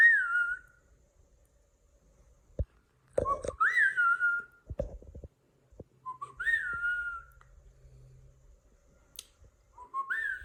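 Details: Pet cockatiel indoors chirping: clear whistled notes that rise then hold level, repeated several times, with a few sharp knocks and handling noises in between.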